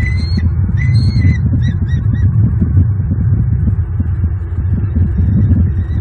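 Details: Wild bald eagle pair at their nest in Southwest Florida, early morning of 29 November 2022, mating on the nest patio, recorded by live nest camera: thin high whistled chirps in a quick series over the first two seconds, then steady wind rumble.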